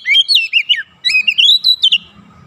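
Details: Oriental magpie-robin in full voice, a lure song for getting other birds singing. Two rich, continuous runs of warbled whistles, rising and falling rapidly, each lasting about a second, then quiet.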